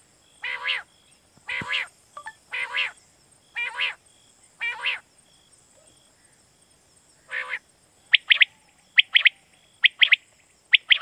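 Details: Quail lure call for night hunting in Pakistan: a run of longer harsh buzzy notes about once a second, then quicker clusters of sharp thin chirps, over a steady high whine.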